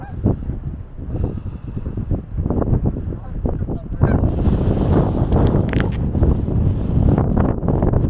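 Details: Geese honk in ragged, overlapping bursts, loosely repeated every second or so, half-buried under a heavy roar of strong gusting wind, recorded 18 January 2022.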